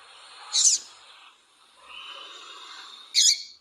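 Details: Female double-collared seedeater giving calls meant to excite a male: a sharp, high, buzzy burst, a quieter thin tonal passage, then another abrupt harsh burst.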